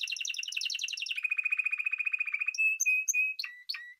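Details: Timbrado canary from Spain rolling a bubbling trill that settles into a lower, steady, fast roll, followed by a few separate short metallic notes.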